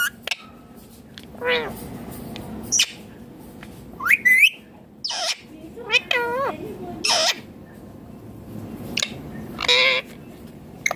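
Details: Green Indian ringneck parakeet, described as talking, gives scattered rising and falling whistled calls, wavering trills and sharp squawks over a steady low background hum.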